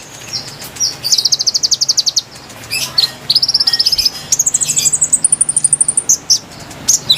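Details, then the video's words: Lively konin song played to lure wild birds: repeated very high, fast trills at changing pitches, broken by brief gaps, squeaky notes and a few sharp chips. "MASTERAN GACOR PIKAT KONIN KONIN LIAR | KICAU MERDU ASLI SUARA BURUNG"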